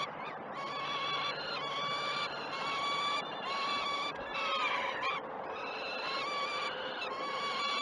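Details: Peregrine falcon chicks beg loudly during the first morning feeds of 12 June 2018 at the Great Spirit Bluff nest cam. Rough, honking, harmonic cries repeat every second or so with small breaks.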